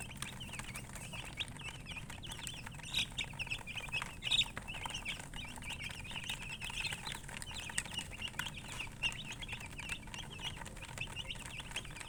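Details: Flock of colour chickens chirping, a fainter dense wash of thin high peeps running the whole time, with a few louder clicks or taps and a low droning hum beneath.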